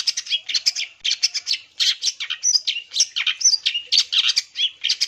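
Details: Continuous, varied long-tailed shrike song played to draw a response from other shrikes, packed with quick chirps, scratchy notes and brief clear whistles, barely a break between phrases.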